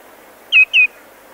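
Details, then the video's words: Greenshank giving close-up alarm calls that grow more intense: two loud, ringing, slightly down-slurred notes in quick succession, about a quarter second apart, over a quiet background. "Greenshank. CU Alarm Calls, Becoming More Extreme"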